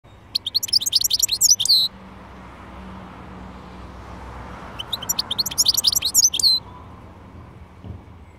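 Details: European goldfinch singing: two bright, tinkling bursts of rapid liquid twitters and trills, each about one and a half seconds long, separated by a few seconds of quiet with faint low background hum.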